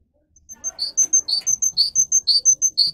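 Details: Russian singing canary used to teach young birds: alternating short high chips and brighter lower notes repeated about twice a second in an even rhythm, with faint low background noise.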